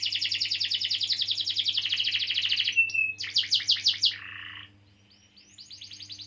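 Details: Canary rolling a long song to encourage silent birds: fast pulsed high trill, a short whistled glide, choppy stuttering notes, a lower buzzy roll, then quieter rapid chips, with faint background hum.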